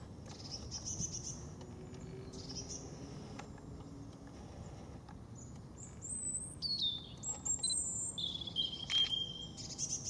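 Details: European robin in the Veerse bos, dated 080314; after several seconds of quiet woodland hiss, a run of very high, thin whistles and quick descending notes. A steady low background rumble persists throughout.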